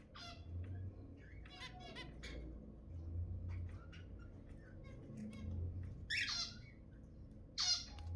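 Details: Zebra finch sounds meant to encourage breeding: scattered short, nasal beeping notes, some doubled, spaced irregularly across eight seconds, with a few louder honking calls near the end over a faint low rumble.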